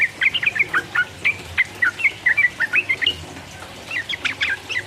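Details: Sooty-headed bulbul in full, vigorous song of the rapid 'ropel uplik uplik' style, meant to provoke rival birds: a quick run of short, slurred whistled notes, about four per second, with a busier burst of notes near the end.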